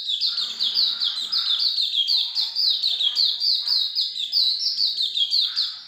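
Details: Hume's white-eye delivering an unbroken flow of rapid, high, sharply falling chirps, evenly loud throughout, in the busy 'gacor ngalas longgun' style.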